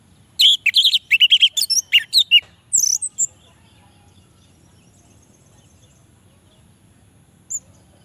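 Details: Orange-headed thrush song used to provoke reluctant males into singing: a quick run of loud, high chirping and whistled notes in the first three seconds, then near silence with one faint note later.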